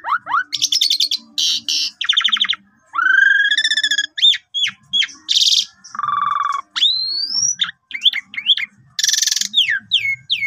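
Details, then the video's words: Varied song of an Asian pied starling, used as a lure for other birds, with long pumping phrases: rising whistles, harsh rasping bursts, a low buzzy trill, wavering whistles and quick downslurred notes. "Pancingan Jalak Suren Jitu !! Jalak Suren Suara Panjang Dan Gaya Mompa Istimewa"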